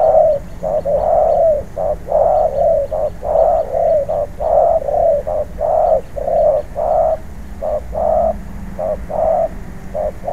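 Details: Wild-caught spotted dove trained for ground-decoy use sings a long series of mellow coos, short and drawn-out notes alternating steadily almost once a second, with a quiet low hum beneath.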